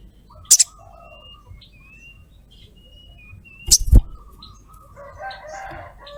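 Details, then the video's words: Lure call of a female sogok ontong summoning a male: two sharp, clipped double chirps about three seconds apart, with soft level whistles and warbling from other birds behind. "SOGOKONTONG Cret cret ngleper Pancing sogon cepat bunyi"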